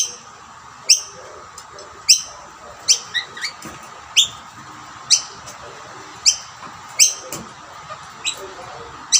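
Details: Rainbow lorikeets at shared snack plates as a dominant male chases rivals from the food: a steady series of sharp, high, clipped chirps roughly every half second to second, some doubled.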